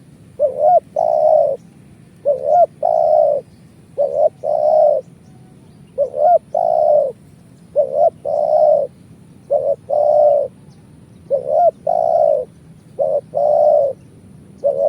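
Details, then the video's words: Spotted dove call used to lure birds for trapping, a steady cycle of phrases: one or two upward-hooked short coos followed by a longer even coo, repeated about every two seconds over faint hum. "Suara Burung Tekukur kuk 1"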